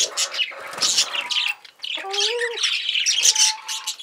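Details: Budgerigar hen, a female pet parakeet, making harsh scratchy chatter mixed with a few clearer whistled tones and squawks, nearly continuous through the short recording.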